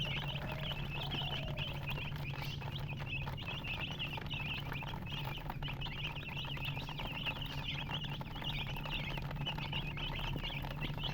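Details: A crowd of baby chicks keeps up a busy stream of thin, high, wavering peeps without pause, with a soft low rumble underneath.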